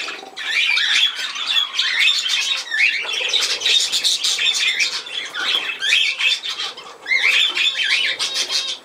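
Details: Budgerigar warbling nonstop in a small room: dense, fast runs of wavy whistles, clicks and scratchy chatter, a few louder rising notes standing out.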